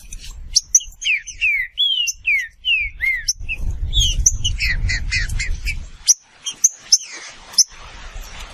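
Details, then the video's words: Green-winged saltator, Saltator similis, a Brazilian passerine: a run of loud slurred whistles falling in pitch, then a denser jumble of notes over a low rumbling background noise. "Seu Trinca Ferro vai pegar fogo em 15 minutos"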